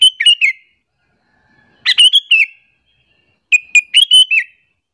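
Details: Luring call of a sooty-headed bulbul, intended to make other bulbuls angry: three bursts of rapid bright chirping notes, each a tight run of four or five notes, roughly every 1.7 seconds.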